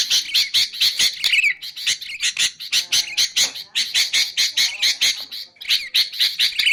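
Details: Harsh rapid chattering of a sooty-headed bulbul, meant for luring bulbuls and teaching birds to sing, delivered in dense bursts with short gaps and a few slurred whistled notes at phrase ends.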